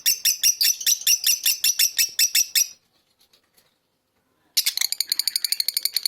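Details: Fischer's lovebird rattling off quick, harsh high chirps for nearly three seconds, a pause of near silence, then an even faster, buzzier twittering run.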